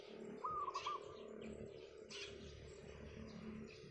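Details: One clear, soft, rolling coo phrase of quick stuttered notes from a wild zebra dove on a roof in the morning, followed by faint chirps of other birds over low hum.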